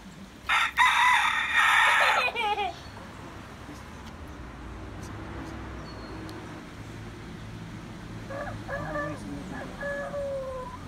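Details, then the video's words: A rooster in Adjuntas, Puerto Rico, gives one loud, harsh crow lasting about two seconds, followed by softer, higher calls from other birds in the background. "Rooster singing"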